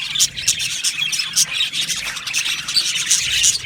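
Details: Australian budgie colony in an aviary: shrill chirping and squawking from many birds blends into one steady, high, busy chatter.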